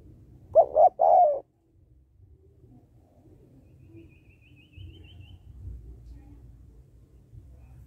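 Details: Female spotted dove calling to stimulate males: one clear three-note coo near the start, two short notes and a longer one, followed by quiet low background noise and a faint high twitter.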